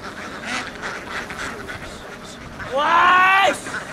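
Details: Vietnamese laying ducks running across fields to a boat: faint scattered quacks, then one loud, harsh, harmonic-rich quack lasting nearly a second that drops slightly in pitch toward its end.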